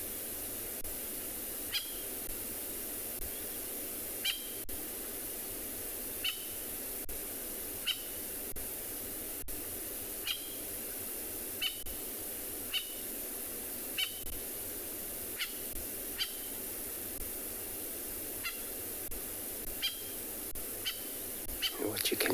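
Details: At sunrise on 2 July in Tswalu Kalahari Reserve, South Africa, a Natal spurfowl gives sharp, faint alarm notes every second or two in a quiet background, probably calling because of a nearby cheetah.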